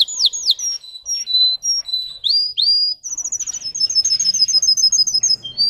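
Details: Russian canary bred for singing, a domestic singer, delivering high whistled phrases: swooping upslurred notes, steady held tones, then a fast rolling trill of repeated notes near the end.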